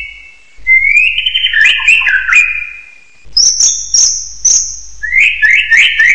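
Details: Rising, warbled whistles of a hill myna, a brief pause, then a long, very high level whistle with small breaks, followed by a run of quick rising notes.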